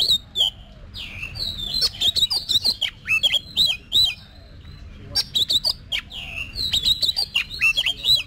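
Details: Caged Oriental magpie-robin rehearsing contest song: dense, varied phrases of bright whistles, clicks and slurred notes in two long bursts with a brief pause between, over a steady low hum.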